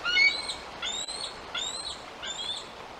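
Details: Young bald eagle, about 11 weeks old, at a nest on the day it first branched off the nest: a series of thin, high whistled notes, each sliding upward, repeated roughly every 0.7 seconds over a faint steady background.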